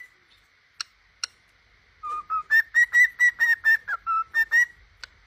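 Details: A pet cockatiel sings a run of clear, harmonic whistled notes, mostly steady with a few lower dips.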